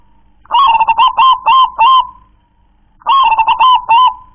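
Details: A local zebra dove sings two phrases, each a rapid string of five or six short, hollow cooing notes closing in a sustained coo.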